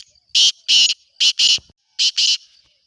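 A black francolin gives its loud, harsh, grating call of six rasping notes in quick pairs, with nothing else heard.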